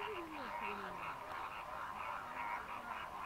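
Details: Greater flamingos, dry-season migrants numbering over 6000, fishing in the lagoons of Mannar Island, Sri Lanka: a dense, unbroken babble of nasal honking chatter, with a few lower descending calls early on.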